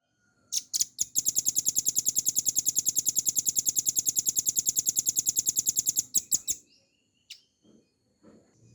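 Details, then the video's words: Velvet-fronted nuthatch, a cage bird, in a clear, energetic rapid-fire "ngebren" song style used as a training master for other songbirds: a few high chips, then a long, even, very fast high rattle for about five seconds, ending in scattered chips. "RAMBATAN PARUH MERAH GACOR FULL NGEBREN NEMBAK PANJANG"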